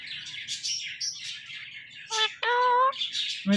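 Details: Indian ringneck parakeet mimicking words, soft chattering then a sudden nasal drawn-out syllable and a steady harmonic tone, over faint low background music.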